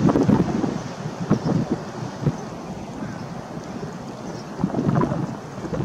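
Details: Gusting wind buffets the microphone over low rumbling surf, rising and falling in bursts, with no animal calls.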